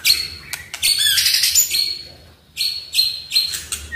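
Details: Short burst of Oriental magpie-robin song meant to make a silent bird sing: loud harsh high chattering notes with sharp whistled accents, a brief pause, then more rasping bursts.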